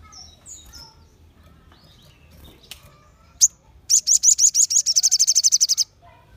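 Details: Several crimson sunbirds singing together to rouse other sunbirds: faint high chirps at first, one sharp call, then a rapid, bright trill of thin high notes for about two seconds.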